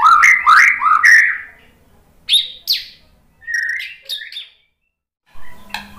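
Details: White-rumped shama responding to a lure with rich warbled whistles at the start, followed by scattered sharp downslurred notes and brief phrases with gaps of silence.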